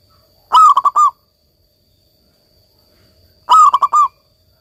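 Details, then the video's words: Singing local zebra dove delivering two identical cooing phrases about three seconds apart, each a quick burst of short coos ending in a longer rolling note, with silence between. "perkutut lokal gacor"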